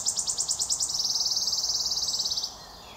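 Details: Wood warbler singing in 2022: a high accelerating series of short notes, about seven slower notes speeding into a long shivering trill that ends after two and a half seconds, over faint background hiss.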